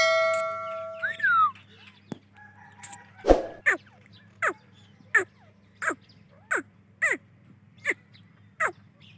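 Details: Grey francolin (dakhni teetar) calling: a brief whistled phrase, then sharp, downward-sweeping notes repeated about every half second in a steady series over a low background hum.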